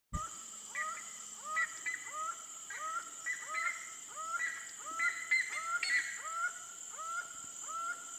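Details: Laughing falcon (Herpetotheres cachinnans) song: ringing, upward-hooked notes repeated about twice a second, steady and insistent, over a constant high insect hiss.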